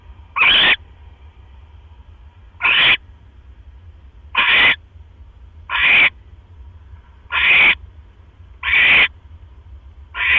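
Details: Barn owl nest on 12 October 2015 after 1 AM, the male arriving with another mouse; seven brief harsh screeches spread irregularly, one every one to two seconds, over a faint steady hum.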